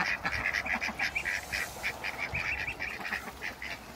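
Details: Ducks meeting other ducks, a group of four and three Pekin ducks: a rapid run of short, bright, nasal calls repeated about three times a second, uneven in spacing, over steady low background rumble.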